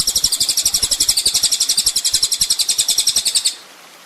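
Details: Master recording of a kolibri ninja sunbird for teaching other songbirds: a loud, very high, rapidly repeated buzzy trill of about four notes per second lasts three and a half seconds, then stops.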